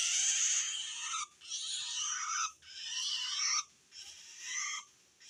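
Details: Long-tailed shrike giving harsh, rasping calls that signal it feels threatened by another shrike, used to call wild shrikes; four grating, noisy bursts about a second long, separated by short pauses.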